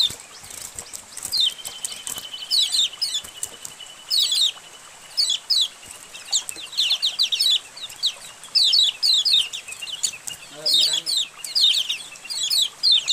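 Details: A colony of white-eyes, played to caged white-eyes to prompt them to start singing: dense bursts of thin, high chirps and rapid twittering phrases that overlap and come in quick clusters, with a brief lower buzzy sound near the end.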